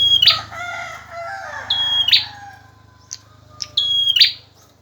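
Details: Male bar-winged prinia singing actively, used as a tutor for training other birds: a clear high whistled note then a harsh buzzy burst, repeated about every two seconds, over a steady low hum and faint lower chirps.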